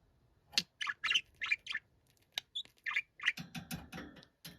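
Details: Noisy pet budgerigar calling indoors: a string of short, sharp chirps and squawky warbles in quick uneven bursts, with brief gaps between.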